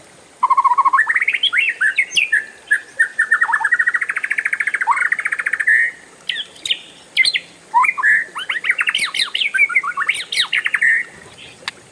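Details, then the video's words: Oriental magpie-robin giving a long rolling song: a low whistled note, then a fast buzzy trill wavering near the middle of its range for several seconds, followed by varied rising and falling chirped phrases, with a steady high hiss behind. "SUARA KACER RIUH NGEROLL PANJANG"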